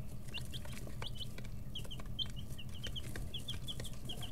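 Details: Brooder chicks aged 11 to 13 days, with wing and tail feathers growing in, peep in quick short notes, often paired, over a continuous low-pitched hum and light tapping.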